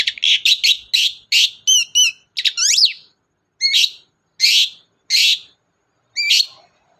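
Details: Lure recording of a chatty long-tailed shrike for birds that will not sing: rapid rasping notes and whistled sweeps, then slower harsh calls spaced less than a second apart.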